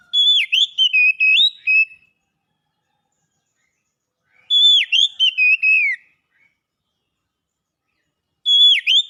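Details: Song of a champion contest Oriental magpie-robin: three rich whistled phrases about four seconds apart, each a rapid string of sharp, looping notes with bright overtones, silence between phrases.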